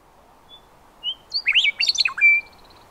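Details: Western meadowlark singing: a few clear whistled notes lead into a rapid, complex burst of bubbling, warbled phrases that slide up and down, ending on a sustained high whistle; quiet background.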